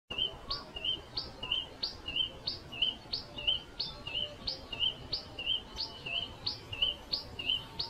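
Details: Pipit calls: a steady series of short, thin, high chirps, each a brief rising-and-falling note, repeated about every half second, fairly faint over a soft background hiss.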